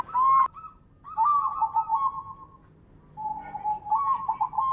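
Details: Local zebra dove lure song: a brief loud note, then a wavering warbled coo phrase and, after a pause, a steady tone breaking into quick rippling notes.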